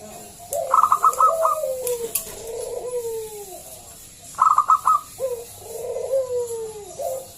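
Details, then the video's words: Zebra dove of local stock, a loud caller used to coax other doves to sing. Two phrases, each opening with a rapid rattle of short high notes and ending in soft, sliding, descending coos; faint taps in between. "Pancingan Perkutut lokal SUARA BESAR"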